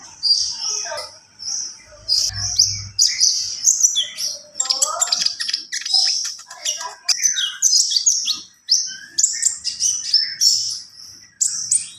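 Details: Javan pied starling in full, lively song: a long run of shrill high whistles, buzzy chatters and harsh rasping notes, with a few lower slurred phrases mixed in.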